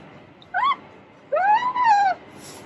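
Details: Baby Alexandrine parakeet, 2.5 months old, just beginning to talk: a short rising-and-falling tonal note, then after a pause a longer arched, harmonic-rich call that dips briefly midway, in a quiet room.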